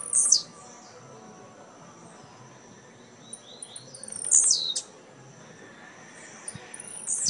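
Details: Caged blue-black grassquits competing in a singing tournament at Jacarepaguá, Rio de Janeiro, Brazil, 18 November 2017; very high, brief buzzy phrases sweeping downward, at the start, near four seconds and at the end, over a quiet low hiss.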